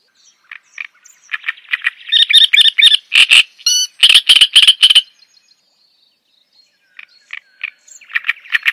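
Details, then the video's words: Java sparrow song with scattered soft chips building to a loud, dense passage of ringing notes and a short tinkling flourish, a silent gap, then quieter chips resuming. "Suara Ocehan Burung GELATIK JAWA Untuk Pancingan Dan Masteran"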